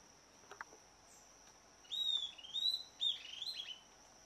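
Southern Antpipit giving a quick burst of sharp, high, whistled notes over about two seconds, against a steady high insect drone.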